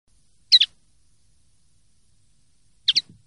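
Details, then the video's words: Common linnet giving clean song (pardillo limpio), 2023/2024: two sharp, high double-noted chirps about two and a half seconds apart, otherwise quiet. "CD PARDILLO LIMPIO 2023/2024"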